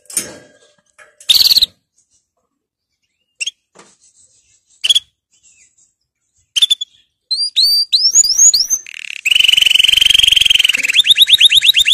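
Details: Canary song used for training young canaries: scattered sharp clicks and chips at first, then rising whistled notes and a loud, rapid, rolling trill that speeds into a fast run.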